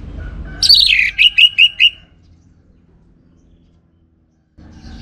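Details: Orange-headed thrush lure song: a loud, slurred downward whistle, then four quick, repeated bright notes, followed by near silence and a return of low background noise.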